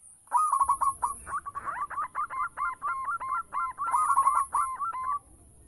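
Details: Local zebra dove lure song: a dense, continuous rush of rolling coos and hooked notes, some overlapping, with a low background rumble throughout.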